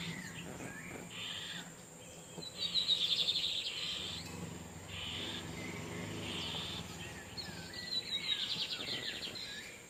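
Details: In the wild, male lined seedeaters trade songs while a female sits on her nest. Several rapid trilled, warbling phrases rise and fall over ten seconds, some louder and some distant, over a constant shrill insect drone.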